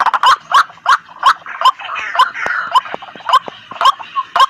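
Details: White-breasted waterhen calling, used to lure birds toward the sound: loud, clipped croaking notes repeated roughly every third of a second over a rough, noisy background.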